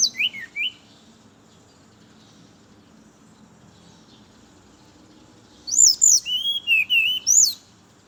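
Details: Morning song of a brown-chested jungle flycatcher, played to lure other birds of its kind: a short whistled burst opens, then a long quiet pause, then a bright phrase of high swooping notes with a lower trill.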